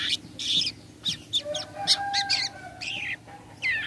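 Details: Long-tailed shrike 'toet toet' lure call meant to draw answering shrikes: a run of scratchy, harsh bursts mixed with short rising whistles and one drawn-out thin tone, with a constant low hum behind.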